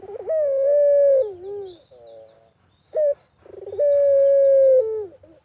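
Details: Barbary dove of the pelung type cooing actively in a rural natural setting, used as a lure recording: a short rising note, then a long steady mid-pitched drawn coo that sags slightly at the end, repeated after a pause, with softer broken notes between.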